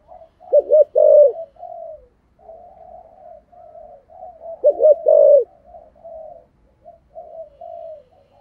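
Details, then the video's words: Spotted dove of the Vietnamese 'giọng thổ' voice type calling as a decoy bird from the Hai Hậu area: low soft coos with two louder emphatic double-note bursts about four seconds apart, in quiet surroundings. "Tiếng cu gáy giọng thổ gáy gọi Hai Hậu giọng hay và hạp bổi"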